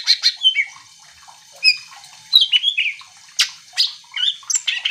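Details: Greater green leafbird singing vigorously, meant to stir other leafbirds into singing back: a rapid mix of whistles, slurs and sharp clicks, phrases broken by brief gaps.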